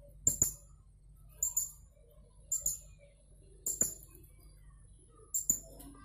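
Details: Blue-crowned hanging parrot, caged, from Jungkat in West Kalimantan and entered in an online song contest: five clear bursts of paired, high, sharp squeaks at roughly one-second spacing in a quiet setting.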